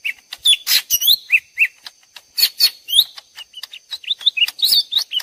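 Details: Two lesser green leafbirds calling back and forth as if fighting, used as lure audio: a fast, varied stream of sharp chirps, slurred whistles and buzzy notes, high-pitched and almost unbroken.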